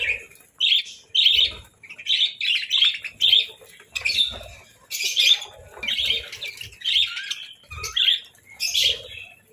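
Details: Budgerigars at a winter breakfast of boiled eggs and bread give sharp, separate chirps and squawky notes, roughly two per second, with soft thuds between them.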